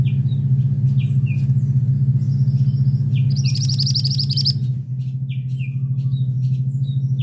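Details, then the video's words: Call of a male scarlet minivet: a quick string of shrill, evenly spaced high notes about one second long. Scattered short chirps surround it, and a strong low droning hum runs throughout. "'Teriakan' Burung Mantenan Jantan"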